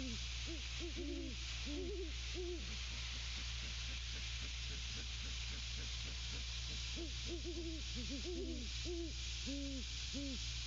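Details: Great Horned Owl mates calling at their nest, trading low hollow hoots in bursts of several notes, quieter grunt-like pulses between bursts, steady electronic hiss behind.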